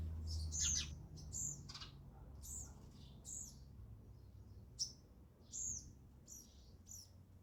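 Sparrow chirping: short, bright high-pitched chips repeated in quick irregular bursts, roughly three per second, over a low steady background hum.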